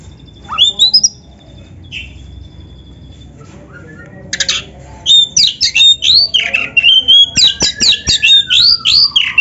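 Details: Oriental magpie-robin singing a few scattered whistles, then breaking into a rapid string of sharp, looping whistled notes repeated over several seconds.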